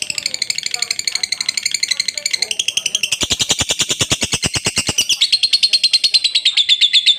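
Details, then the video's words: Lovebird pouring out a long, high trill, its rapid chattering pulses growing stronger and more rhythmic in the middle, then thinning to a sharper whistled run. "MASTERAN LOVE BIRD NGEKEK PANJANG"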